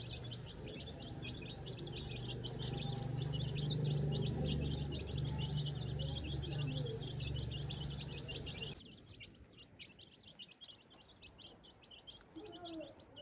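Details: Baby chicks foraging in farm grass, scratching and searching for food and insects without the mother hen; dense, fast, high-pitched peeping from many chicks with a low hum underneath; the background drops suddenly near the end while sparser peeps continue.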